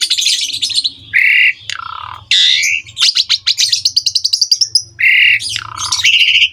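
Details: Asian pied starling, or jalak suren, in full varied song meant for young birds to copy: harsh squawks, grating bursts and fast rattling chatters, with a long rapid ticking series in the middle.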